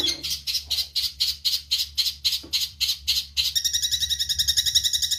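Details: Eurasian tree sparrow in songbird training audio, giving a regular sequence of loud, sharp chirps about four per second, then switching into a fast, ringing trill of closely packed notes.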